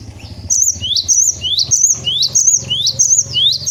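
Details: Gelatik batu (cinereous tit) tutor song: loud, steady repetition of a two-part whistle, an upward-sliding note then a high sharp note, cycling roughly every half second, with faint low background hum.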